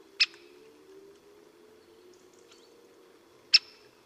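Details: Great spotted woodpecker in the Vosges, Alsace, giving two sharp, explosive single 'kik' notes about three seconds apart over a faint low steady hum.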